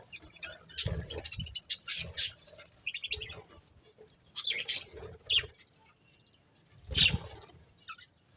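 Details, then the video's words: Chirping from a breeding pair of budgerigars: irregular bursts of sharp high chirps and chatter, some loud strokes with low thuds as of movement, then quieter spells. "Cute Budgies Chirping Sounds"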